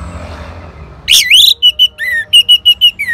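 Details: Orange-headed thrush from North Bali, responding to a lure: a loud, rising, slurred whistle, then a string of short, clear whistled notes, about three per second, with one downslurred note.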